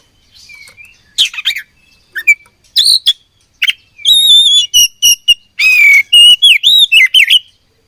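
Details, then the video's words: Fighting oriental magpie-robin (kacer), Indonesia: bursts of sharp chirps and clear whistles, some notes held, others sliding up and down, then a rapid run of short, fast-repeated phrases and rasping notes near the end. "Beautiful Chirping Sound Of Fighting Birds"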